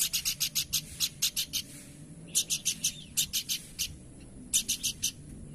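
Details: Horsfield's babbler singing in bursts of short, harsh, buzzy notes, five to seven per burst, repeated with brief pauses, over a steady low background hum.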